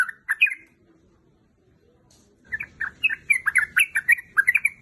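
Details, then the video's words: Female yellow-vented bulbul calling to a male: bright chirpy phrases of quick rising and falling notes, a brief gap, then a dense run of repeated chattering notes over low background rumble. "Suara trucukan betina gacor memanggil jantan."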